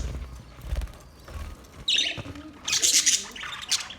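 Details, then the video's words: After a quiet, rumbling start, budgerigars break into a short flurry of high, bright chirps and squeaks, with a last few notes near the end. "Budgies chirping sound"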